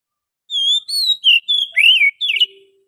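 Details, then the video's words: Oriental magpie-robin from the wild forest, a recording meant for luring: six whistled phrases, from long pure whistles to a swooping warble and a twisting final note. A faint low steady hum is heard at the end. "suara pikat burung Kacer asli hutan,suara pancingan kacer"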